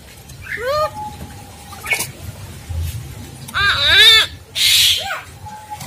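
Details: Tutor recording of Javan myna song meant for training other mynas: long flat whistles, a steep wavering whistled phrase, then loud harsh noisy bursts near the end over a low background hum.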